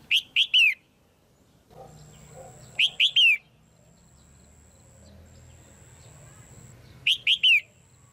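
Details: Red-whiskered bulbul female calling to excite a male or to pair: three-note whistled phrases ending in a downward slur, repeated roughly every three to four seconds, over a steady high thin tone and low background rumble.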